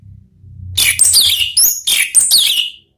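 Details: Over a low hum, an Orange-headed thrush delivers ngeplong-style song: a continuous flow of high, sweet whistles, slurred phrases and brief sharp notes, varied and unbroken for about two seconds.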